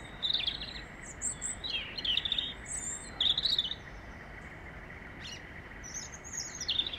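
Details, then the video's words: European robin singing in London, a bird regularly fed dried worms, gives short, high, liquid warbling phrases with thin sweeping notes, separated by brief pauses, over a steady hiss of background noise. "Robin red breast singing"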